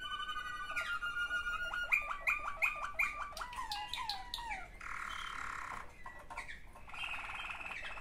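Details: Waterslager canary, one of two siblings, indoors; rising whistled strokes repeated quickly in a run of about a dozen, then dense bubbling trills and a sustained rolling passage.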